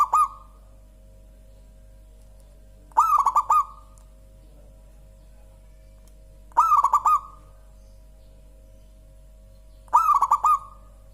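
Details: Local zebra dove singing clear, rich coos: phrases of rapid bubbling notes with a short trailing hum come every three to four seconds, four in all, over a quiet background.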